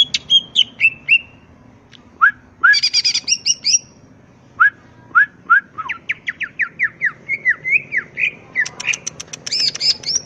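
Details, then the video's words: Greater green leafbird singing in the wild to goad other birds into replying: clear slurred whistles, falling notes and rapid ticking runs with varied phrases, over a low background hum. "pancingan suara cucak ijo full isian bikin nyaut suara burung cucak ijo alam liar"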